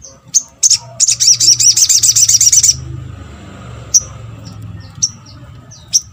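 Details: Little spiderhunter giving high calls used to provoke other birds into responding: a few sharp chips lead into a rapid, ringing trill of about two seconds, then single high notes spaced roughly a second apart.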